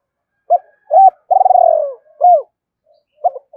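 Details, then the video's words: Spotted dove cooing meant to draw in wild rivals, 'thúc' and 'gáy gọi' style: two short low coos, a long vibrating coo that slides down, another short coo, then the start of a new phrase, in silent surroundings. "tiếng cu gáy kích bổi nhanh nổi hiệu quả, tiếng thúc và gáy gọi"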